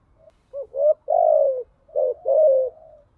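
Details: Female spotted dove lure call used to stimulate doves. Two linked coo phrases with faint low background rumble. Each is a brief broken note then a fuller, slowly falling hoot.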